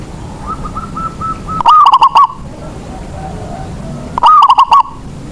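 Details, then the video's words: Song of a local zebra dove kept as a lure to get lazy doves singing. Two loud, distorted bubbling phrases about two and a half seconds apart, with fainter coos from another dove before the first. "Perkutut lokal Raja pikat. Cocok.buwat pancingan burung yg malas bunyi"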